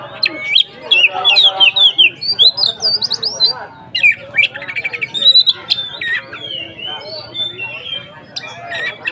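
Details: White-rumped shama singing nonstop, used to provoke other shamas into singing with more aggression: a fast, varied stream of whistled, buzzy and chattering notes with frequent sharp pitch swoops.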